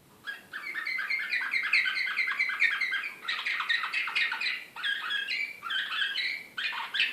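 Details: Excited canary of the Serbian Slavujar song style, recorded in Belgrade in 2016, singing a long unbroken run of rapid rattling trills, then choppy whistled and buzzy phrases, bright and high-pitched, in a quiet room.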